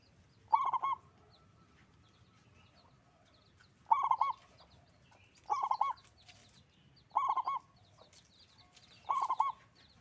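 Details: Local zebra dove singing eagerly with a big voice. Five short bubbling, trilled coo phrases come every two to three seconds over about ten seconds. Soft high chirps of other birds sound between the phrases.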